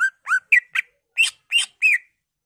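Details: Greater green leafbird song meant to excite other leafbirds into song: seven notes in two and a half seconds, low curved whistles mixed with fuller, buzzier phrases.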